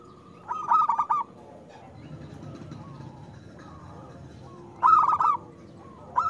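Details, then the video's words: Local zebra dove song used as a lure for doves that seldom sing: two short, rolling bursts of clipped, mellow coos about four seconds apart, with quiet background between. "Perkutut lokal gacor Suara Besar"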